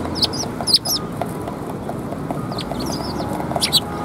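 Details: Sparrows coming to be fed at a Tenmangu shrine on 24 February 2021; short high chirps in scattered bursts of two or three notes, with a steady low background hum.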